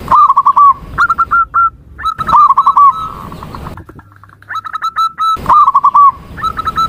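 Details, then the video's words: Zebra dove calling in repeated phrases: wavering trilled coos and short evenly spaced notes at a steady mid pitch, with sharp clicks and an abrupt quiet pause. "Suara Panggilan Perkutut"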